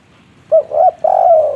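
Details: One 'kuk 3' phrase from a local natural spotted dove: a short clipped note, a longer rising coo, then a sustained burry coo that falls slightly at the end.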